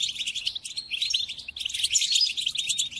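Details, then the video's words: European goldfinch singing for the tutoring of caged birds: a fast jumble of tinkling notes, briefly dipping near the middle before a louder, busier burst. "قدم هذه الآصوات لطائرك الحسون وشاهد ماذا يفعل"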